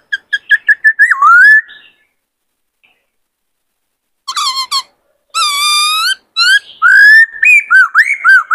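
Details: Excited caged male white-cheeked laughingthrush sings to goad a wild-caught bird in training. A rapid string of short notes slides into a dropping whistle. After a pause come crackling bursts, a long rich tone, and a lively series of looping, varied whistles.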